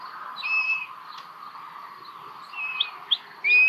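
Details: Common buzzard chicks at a nest in Hungary on 1 June 2022, begging while being fed: thin, high whistled calls, a few drawn-out and level, others short, spaced irregularly over a steady background hum.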